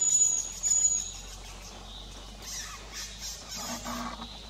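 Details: Eurasian pygmy owl in the Owl Mountains (Góry Sowie), Poland, 17 June 2020, giving two thin, very high whistled notes in the first second, then faint rustling and soft background noise.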